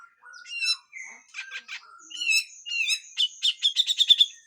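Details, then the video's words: Grey-cheeked bulbul in harsh full song with raspy phrases, a tutor recording: mixed whistles and rough buzzy notes, ending in a quickening series of sharp, loud chips. "MASTERAN CUCAK JENGGOT FULL KASAR DAN BESETAN"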